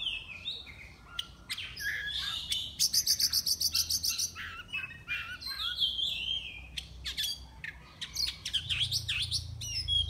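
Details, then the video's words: Singing-contest Oriental magpie-robin from Miri, Sarawak, kept on crickets with daily sunning and evening baths. A fast buzzy trill of about a dozen repeated notes opens into rich varied whistles, slurred sweeps and crisp clicks. Low rumble late. "Lomba Burung Online Kacer NEO"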